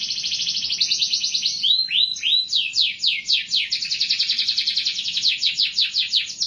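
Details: Canary song made of a dense high trill, then a few slurred rising notes, followed by a long run of quick repeated sweeping syllables, clear and unbroken.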